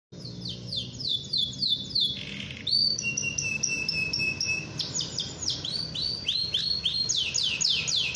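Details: Caged Atlantic canary in full song, meant to provoke rival canaries into singing: fast high rolling trills, repeated rising notes and a long steady whistled tour, continuous and loud.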